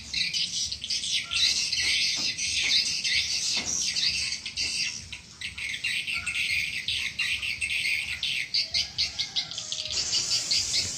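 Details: Swiftlet call and lure recording used to draw swiftlets in: continuous high, rapid chattering and twittering trills in overlapping bursts, with a few lower tonal notes and a harsher rushing burst near the end.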